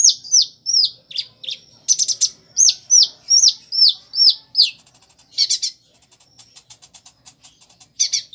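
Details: Caged Kolibri Ninja giving a steady series of high, downslurred chirps, about two to three per second, like cheeping chicks among its mimicked prinia and sparrow notes, broken by buzzy chatters and a fast ticking run.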